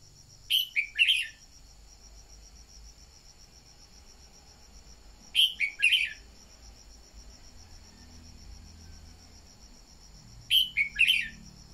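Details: Red-whiskered bulbul song used as a lure to stimulate other birds to sing: short bright warbled phrases of a few notes, repeated about every five seconds, over a steady high insect-like hum and faint low background noise.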